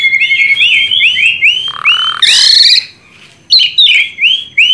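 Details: Tame Asian pied starling singing profusely as a lure for other birds: a run of rising whistled upslurs, each about half a second, a brief harsh burst, then more bright rising whistles after a short pause.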